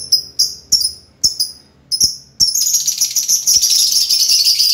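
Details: Lovebird voicing a string of sharp, high downslurred chirps, some in quick pairs, then breaking into a continuous, hissing high chatter that carries to the end.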